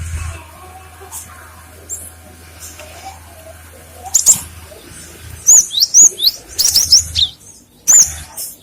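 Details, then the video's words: Song of a cinereous tit, used to lure and tutor other birds: repeated high, clear whistled phrases with downward slurs, about a note every half second, after a low humming stretch. "Suara gelatik batu untuk pancingan & masteran"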